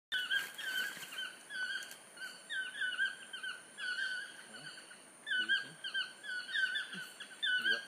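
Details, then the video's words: Toucans calling near Corcovado Park in Costa Rica: bursts of harsh, harmonic, yelping notes repeated in quick groups with short pauses between bouts, over a steady high hiss of forest insects. "Sound of Toucans in Costa Rica"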